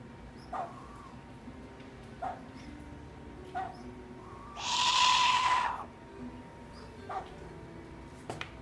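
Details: A captive southern white-faced owl with bright orange eyes at an owl café in Japan gives one harsh, rasping, monster-like hiss lasting about a second. Soft knocks and a steady indoor hum are heard around it.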